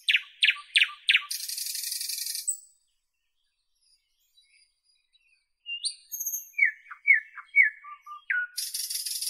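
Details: Northern European nightingale giving loud repeated down-slurred notes and a grating buzz, falling silent for a few seconds, then resuming with thin high whistles and a chain of descending piping notes.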